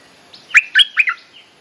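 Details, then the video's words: Bulbul calling for a mate, used to train young birds: a single quick phrase of three or four liquid, gurgling notes with falling and rising slurs. "เสียงนกดอกแตงEp.186 เพลงเรียกคู่ หัดลูกเสอ Suara pikat merbah lekir gacor"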